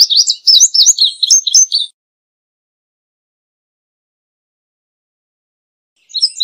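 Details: An Indigo Bunting (Passerina cyanea) sings a quick run of high, sweet paired notes lasting about two seconds, then starts again after a pause.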